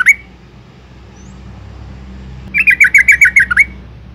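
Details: Female yellow-vented bulbul calling to excite males: one brief note at the start, then after a pause a run of about eight rapid chattering notes ending in a downward inflection, over a low steady background rumble.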